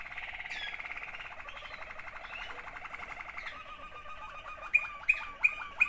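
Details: Song of two sibling Waterslager canaries: a sustained, even bubbling roll shifts to a lower gurgling trill, closed by a few sharp clicking notes spaced about half a second apart.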